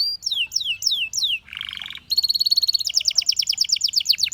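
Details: Short burst of Belgian canary song: four drawn-out falling whistles, a low rolling buzz, then a fast even trill of sharp repeated notes.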